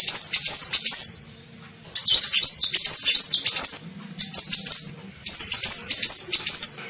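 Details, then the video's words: Sunbird (kolibri ninja) lure call for attracting birds: four bursts of sharp, high, rapidly repeated wavering chirps, each lasting one to two seconds, separated by short gaps. "SUARA PIKAT KOLIBRI NINJA"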